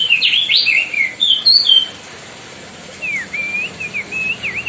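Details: White-bellied bushchat (Decu Timor) of the Lesser Sundas, singing a loud tutor song for training other birds: rapid sweeping whistled phrases, then a pause and a series of thin rising and falling whistles.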